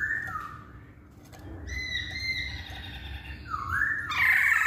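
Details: Masked laughingthrush, poksay hongkong, song used as a lure to make males sing: loud whistled phrases sliding down near the start, a gap, then sustained whistles and a rising, harsh ending.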